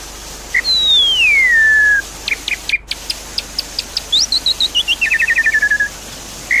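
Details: Javan pied starling song used as lure therapy for a silent bird. A long whistle glides steadily downward, then sharp ticks and high chirps follow, and a fast descending trill of short notes, over a water-like background hiss.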